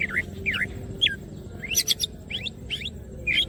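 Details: Greater green leafbird in lively song with wings opened: spaced whistled phrases, looping down-up slurs and quick rising sweeps, broken by a brief burst of sharp high clicks.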